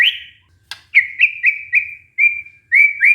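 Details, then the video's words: A white-rumped shama song, used to coax a stressed shama back into singing. A string of short, clear whistled upslurs, repeated roughly every quarter second at one steady pitch. "pancingan murai batu macet bunyi karena stres"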